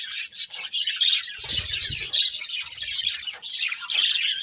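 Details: Budgerigars, a breeding pair, chirping while eating; dense, continuous high twittering chatter with overlapping chirps throughout, and a brief low rumbling thump near the middle.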